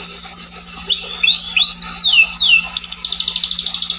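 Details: Scotch Fancy canary song: quick chattering notes, then slow whistled upswept and downswept slurs, ending in a fast buzzy rolling trill, over a faint low hum.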